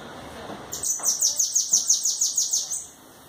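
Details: Bananaquit delivering a two-second burst of high, rapid, hissing notes, about ten evenly spaced pulses, over a soft background.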